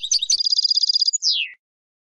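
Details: A female European goldfinch calling to excite a silent male into song: a couple of sharp chirps lead into a quick, even high trill that ends in a smooth falling whistle.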